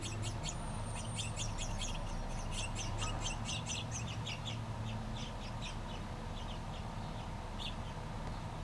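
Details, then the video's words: Two House Finch chicks on their last day in the nest before fledging, fed by both parents: rapid bursts of high, scratchy chirps repeated densely for about five seconds, then sparser, over steady low background hum. "House Finch babies being fed by Mama & Papa Finch."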